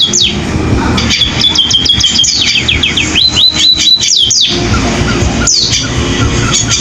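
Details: Canary-like singing from a pipit sparrow, with dense quick high twitters, a held high whistled note, then a fast run of descending slurs and sharp chip notes, all over steady low noise.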